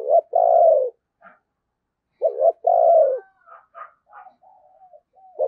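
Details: Tet-season decoy spotted dove cooing for wild doves: two deep phrases, each a quick double note and a long falling coo, followed by soft scattered low notes and murmurs.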